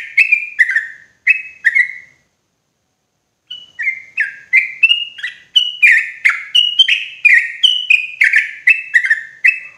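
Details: Yellow-vented bulbul used as a loud, clear lure for trapping in forest: a few spaced gurgling phrases, a short pause, then a lively continuous stream of quick, downslurred, bubbly notes.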